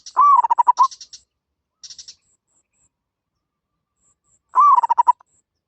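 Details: Zebra dove repeating a fast stuttered coo phrase twice, with brief high-pitched pulsed chirps mixed in after the first phrase.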